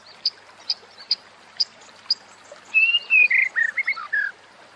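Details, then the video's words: White-rumped shama for bringing birds into breeding condition: several spaced high chips, then a loud, warbled phrase of descending whistled and buzzy notes. "SUARA INI BIKIN MURAI BATU BIRAHI DAN GACOR"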